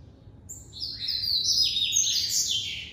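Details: Breeder's Double-collared seedeater (coleiro) delivering the classic song: after a quiet start, a fast, loud run of very high, sharp, buzzy notes with slurred descending ends.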